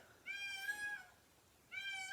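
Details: One of two pet Indian peafowl, making a racket on a noisy day, gives two loud, nasal, wailing cries in the background, each under a second and slightly falling, with a short pause between them over faint room noise.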